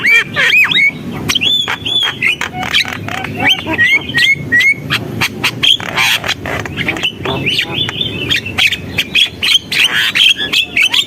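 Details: Javan myna in busy song: varied whistles and harsh chatter, some notes rising and falling in short loops, with clicks packed between the phrases.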